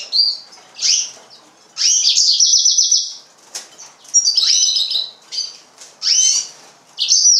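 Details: Serinus mozambicus, the yellow-fronted canary, delivering short bursts of high trilled and whistled notes separated by brief pauses, with some soft wing flutter.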